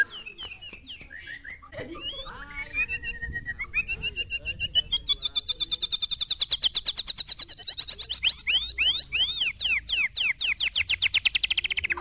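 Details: White-rumped shama in a Medan short-tailed versus 'balak 6' contest: varied chattering phrases lead into a long, fast, even series of sharp repeated notes, high and rapid, lasting several seconds.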